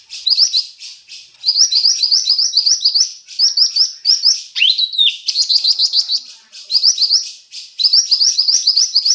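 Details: Lesser green leafbird of local stock in full song, pouring out quick high chirping phrases in repeated bursts, with one slurred upward whistle midway.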